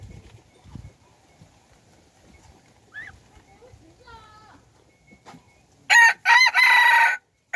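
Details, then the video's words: Decoy rooster bred from domestic chicken and wild junglefowl, dated 10/1/2021, gives one loud, raspy crow in three choppy bursts near the end, after quiet faint clucks and thin chirps. "ไก่ต่อลูกผสม Qaib Dib Txuam Qaib Qus Tom 3 Zoo Nraug Qua Zoo heev"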